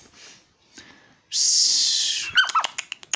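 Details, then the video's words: Little owl kept at home answering its owner: faint sounds, then a harsh one-second hiss followed by quick high chirping notes and clicks. "our super cute little owl chatting back with call"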